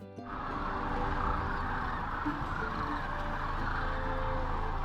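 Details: Sandhill Cranes at the Platte River near Rose Sanctuary, Kearney, Nebraska, on spring migration: probably at least 100,000 roosting birds on a sunny day call at once just before take-off, rolling trumpeting rattles merging into a steady roar with no pauses.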